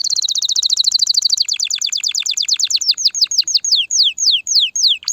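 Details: Canary in full, loud song intended to stimulate males and females to mate: a rapid high trill that gradually slows into widely spaced, steep downward-sliding whistles.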